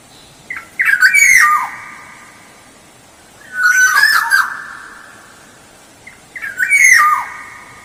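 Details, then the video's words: Black-naped oriole in full song for luring: three fluty phrases about three seconds apart, each starting with harsh rasping notes and ending in a falling whistle. "Suara Pancingan Kepodang Emas Gacor"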